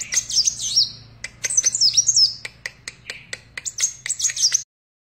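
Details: Captive sunbird twittering: three quick bursts of thin, high, chattering whistles with sharp clicks in between, ending abruptly in silence.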